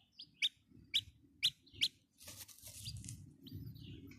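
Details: Chicks peeping: four loud, evenly spaced high chirps about half a second apart, then softer overlapping peeps over a low background rumble.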